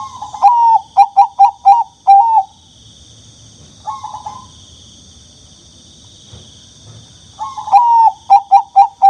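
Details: Young turtle dove repeating loud bursts of five or six short notes, each burst ending in a longer falling note, with a soft burry phrase in the pause between bursts and a steady high whine behind.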